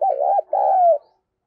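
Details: A single coo phrase from a female spotted dove calling to excite males: a wobbling double-humped note, a short break, then a sustained, gently falling coo lasting about half a second.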